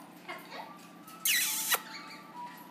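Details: Pet Amazon parrot calling indoors in the morning: soft faint notes, then a loud harsh broadband squawk lasting about half a second and ending in a sharp crack, with a woman's affectionate talk nearby.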